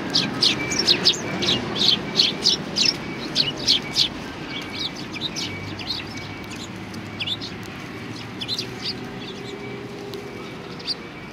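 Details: Sparrows arriving to be fed at a Tenmangu shrine, 25 November 2020; quick high chirps cluster densely in the first seconds, then thin out into scattered, fainter notes over a low background hum.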